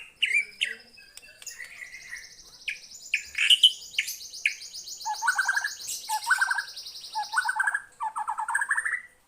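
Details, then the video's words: White-rumped shama singing in response to a lure recording: varied phrases of whistles, a long buzzy trill near the top, then repeated short descending chattering notes. "Kicauannya gak ada remnya !!! Tonton sampai akhir video Murai Batu Gacor ini"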